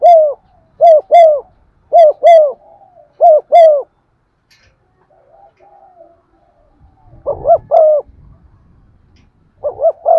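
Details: Spotted dove acting as a lure, cooing to stir other doves in the 'giọng son' style: several quick pairs of hollow coos, then a quiet pause with faint murmurs and knocks, before further paired coos resume.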